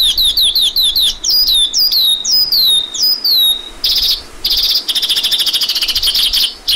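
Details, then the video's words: A lark repeats high, downslurred whistles in quick succession, then switches to rapid, buzzy trills of closely spaced notes. "Lark Calling Sound"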